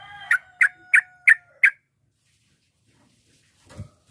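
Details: Sooty-headed bulbul, a chatty bird used to provoke rivals into answering, gives five sharp, bright notes about a third of a second apart. Then it falls quiet, with a faint thump near the end.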